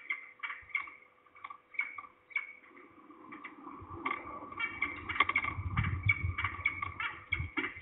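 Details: Repeated rasping, nasal falcon calls from at least two birds at Trzebież, Poland, on 2 September 2019 at about 15:11, growing denser midway, with low rumbling noise underneath.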